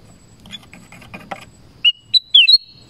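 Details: Black-crested bulbul in a forest: after faint scratchy chatter, a brief loud phrase of four clear whistled notes, the last ones sliding and held.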